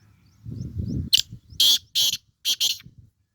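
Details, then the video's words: Black francolin from Sindh calling: a soft low rumble, then a series of four harsh, rasping broadband bursts, each a fraction of a second long, delivered in quick succession. "کالے تیتر کی آواز"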